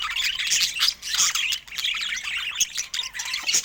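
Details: A crowd of pet budgerigars of different colour mutations keeps up a constant high-pitched chatter of squawks, chirps and fast scratchy warbles, with no pause.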